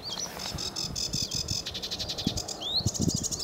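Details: Sedge warbler singing at Newport Wetlands on 29 April 2015: a fast, chattering run of dry, buzzy repeated notes, broken by a rising whistled slur near the end, over a soft low rumble of wind.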